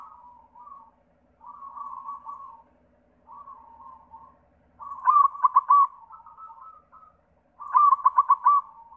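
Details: Lure song of a white zebra dove meant to set other doves singing: soft, rolling cooed phrases separated by short gaps, then two loud bursts of rapid stuttering coos near the end.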